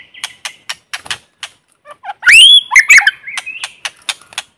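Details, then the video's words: White-rumped shama singing in forest, a lure bird recorded without background noise: dry clicking notes repeated between a loud whistled, warbling phrase in the middle. "Tiếng chim Chích chòe lửa mồi hót kích bổi không tạp âm | White-rumped Shama singing in forest"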